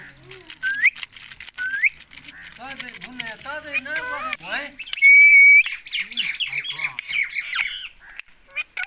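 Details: Rose-ringed parakeet, a Pakistan ring neck parrot, giving harsh rising squawks near the start, then a dense run of clipped, overlapping screeches and one loud sustained shriek midway, with lower warbling, voice-like harmonic sounds between calls.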